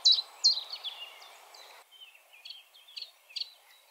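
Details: Common chiffchaff (Phylloscopus collybita) singing bright, high notes that alternate up and down, about two or three a second, loud at first and then softer, over a faint background hiss.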